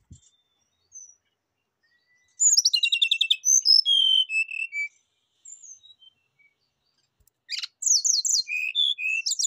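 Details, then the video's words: Lure and therapy song of a Rufous-chested flycatcher: loud, fast stuttering trills and buzzy high notes in long bursts, separated by scattered soft chips and silent gaps. "PANCINGAN DAN TERAPI SRDC AGAR CEPAT BUNYI BONGKAR ISIAN"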